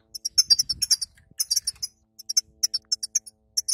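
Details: A female European goldfinch's twitter, meant to stimulate a weak male after moult: thin, very high sparkling notes in short clustered bursts with pauses, over a faint low rumble early on.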